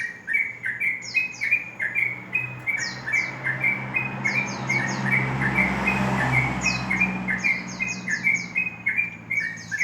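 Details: Sooty-headed bulbul singing in the morning in ropel style: short bright whistled notes repeated about once a second, with a series of high descending chirps above and a steady low hum and rustling background.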